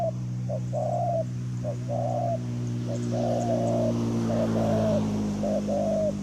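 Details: Wild spotted dove with a big voice, lured to a decoy on open ground: short clipped note followed by longer hoarse coos, repeated in phrases over a loud constant electrical-sounding hum.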